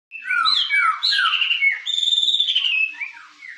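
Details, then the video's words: White-rumped shama, called murai, singing in the sujud manner: a loud run of rich whistled phrases, some rising and some falling, with a higher thin whistle near the end and a quieter closing note. "murai sujud"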